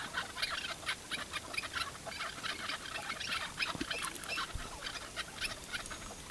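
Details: Tethered Chukar partridge used as a hunting decoy, calling in a steady run of harsh, broadband clucking bursts repeated several times a second, with a faint thump or two in the background.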